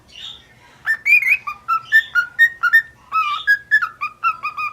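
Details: Indoor pet white-faced cockatiel, male, learning his first phrases, whistling a quick series of clear, bouncing notes that step up and down, with one longer swooping phrase near the end.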